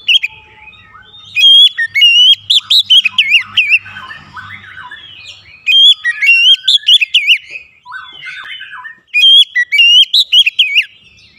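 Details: Oriental magpie-robin, kept as a pet bird and played to stimulate singing, delivering loud bursts of varied whistled and chattering phrases, warbling and repeatedly rising and falling, in three bouts separated by quieter pauses.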